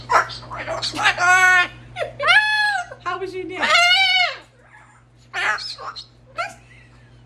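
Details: Female pet cockatoo parrot indoors at night, excited and talking about her day; loud harsh drawn-out speech-like calls with stacked harmonics, rising then falling, in three bursts, followed by quieter chatter and a woman's voice.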